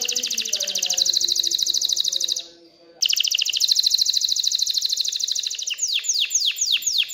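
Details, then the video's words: An excited canary sings to prompt females to breed and build a nest. It delivers loud rolling buzzy trills, pauses briefly, resumes the trill, then ends with slurred whistled sweeps. "تغريد كناري هائج لتحفيز الاناث على التزاوح وبناء العش"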